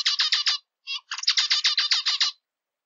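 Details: Zebra finch song in two bursts: several harsh buzzy notes, a brief gap with a single note, then a longer run of rapid rasping syllables lasting over a second, in a quiet setting.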